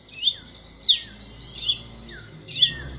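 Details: Masked cardinal, found in Colombia, Venezuela and Trinidad and Tobago, giving four high, sharp chirps, each followed by a faint falling lower note, over a continuous high background tone.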